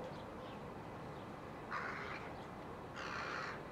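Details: Rooks with their chicks in July 2021: two harsh, hoarse caws about a second apart, the second longer and drawn out, over steady background hiss.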